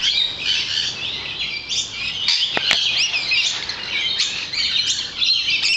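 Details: A crowd of lorikeets off a balcony calling at once: shrill, scratchy screeches and quick chirps layered densely, with a couple of sharp clicks midway.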